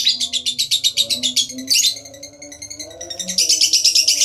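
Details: Lovebird ngekek, a trilling chatter played as a lure for other lovebirds: fast shrill pulses, a brief softer dip in the middle, then the high rattle returns strongly, faint low humming tones behind.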